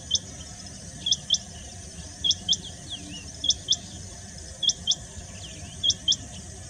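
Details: Rain quail at Barkhera pond, Shivdaspur, Rajasthan, on 15 August 2018, giving sharp, high, doubled 'whit-whit' notes about once a second over a steady background hiss.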